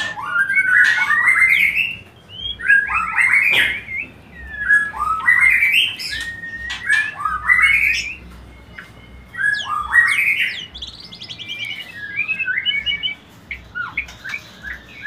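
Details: Song of the white-rumped shama, used to encourage mating, delivered in separate bursts of rich rising whistles and chattering notes every couple of seconds, with short quiet gaps between phrases.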